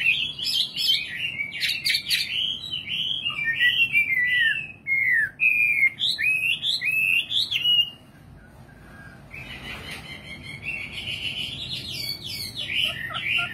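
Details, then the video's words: Singing nightingale giving a long run of sweeping, slurred whistles that rise and fall in quick succession, a short silent pause, then a fresh phrase of high twittering notes. "Singing nightingale. amazing bird song"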